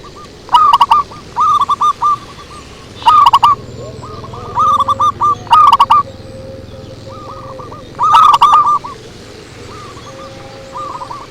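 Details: Several zebra doves in a lure recording, loud rapid rolling coo phrases alternating with quieter, farther birds, phrases roughly every two seconds over a steady low hum.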